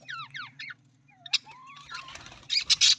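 Budgerigar chatter: quick rising and falling warbled chirps, then a few harsh scratchy squawks, over a low steady hum.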